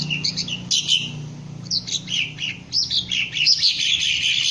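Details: Green leafbird (cucak ijo) in training to raise its crest and sing ngentrok, giving scattered high chirps and short whistled slurs, some rising, with a low mechanical hum throughout.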